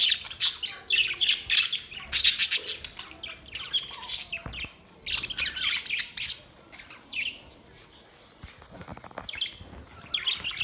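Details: Budgerigars in a busy chorus of chirps and squawks, with bursts of high, scratchy warbling and short chattering notes that come in uneven clusters and brief pauses.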